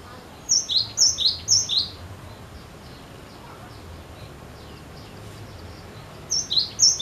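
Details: Repeated high whistled phrases of a cinereous tit, sung to coax other birds into singing; a run of four or five sharp paired notes opens, a quiet gap follows, then three more close the passage.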